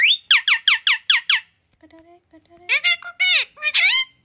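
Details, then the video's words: Pet parrot, reportedly speaking Hindi, English, Urdu, Kannada, Malayalam and Telugu: six quick, identical falling syllables repeated in a row, a lower quiet voice, then longer bright, warbling word-like phrases. "Parrot sound ❤️My parrot can speak Hindi , English, Urdu,Kannada Malayali and Telugu"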